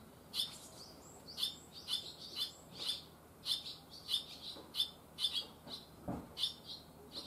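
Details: Newly fledged barn swallow chicks, first day out of the nest: regular high-pitched chirps, each a short buzzy note, repeating about twice per second, with faint low noise.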